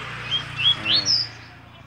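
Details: Double-collared seedeater singing a short phrase of clear, slurred whistled notes that step upward in pitch, with a man speaking Portuguese just before and after.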